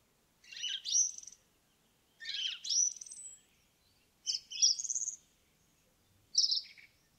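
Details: Indigo bunting singing in a forest: four short, bright, complex phrases of high slurred and chirping notes, each about a second long, separated by pauses of roughly a second in an otherwise quiet background.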